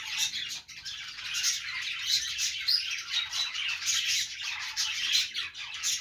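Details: Pet budgies at play produce a constant jumble of scratchy squawks and quick chirps from many birds, some louder bursts standing out irregularly above the chorus.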